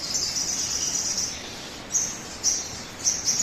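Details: Sogon song, a lure to make birds sing quickly: a long high shimmering trill fades out, followed by three or four crisp, separate high whistled notes about half a second apart.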